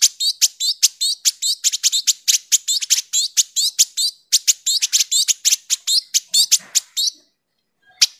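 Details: Indigo bird giving sharp, tightly packed chattering, kept as a tutor recording for training magpie robins and other cage birds: rapid harsh high notes, about two or three per second for seven seconds, then a pause and one last note.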